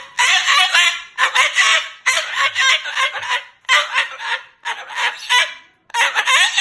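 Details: Angry Moluccan cockatoo shouting and cursing, harsh blaring phrases repeated roughly once a second in uneven bursts with short silent breaks.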